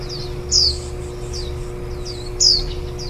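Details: Warbling white-eye raising ten-day-old young, the day before they leave the nest, recorded in July 2018; two strong, piercing downslurred chirps about two seconds apart, softer quick notes between, faint hum below.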